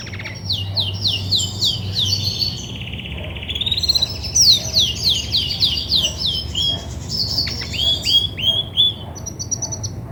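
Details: Singing female Belgian canary, grey and white, in breeding readiness; rapid high chattering notes and rolling trills build up, then sweeping downslurred whistles near the end.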